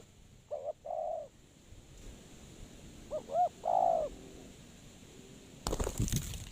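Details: Spotted dove used to lure other birds into traps, somewhat distant. A short-long coo pair, then two quick notes and a long coo, ending in a burst of loud handling noise.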